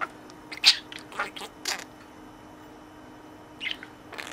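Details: Caged pet budgerigar talking to the toy companion in its cage with learned words while playing; a few short, scratchy, high chattering bursts separated by long quiet gaps.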